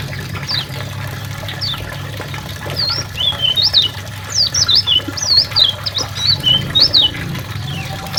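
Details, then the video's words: Lombok and Karimun white-eye song for tutoring songbirds: a quiet start, then a lively run of sharp, high, zigzagging whistles packed into rapid phrases from the middle onward, with a constant low background rumble. "Masteran kecial lombok kecial karimun"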